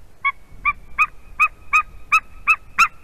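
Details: White-tailed eagles at their nest in Latvia during mating, 11:47 am on 10 March 2020, the female having brought hay: eight loud, ringing yelps, evenly spaced, growing stronger across three seconds, over quiet background.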